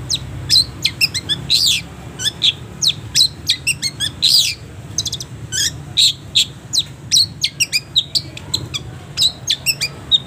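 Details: Long-tailed shrike song used to train caged birds: a busy, fast chattering run of varied high chips, clicks and short whistles, delivered almost continuously for ten seconds, over a faint low hum.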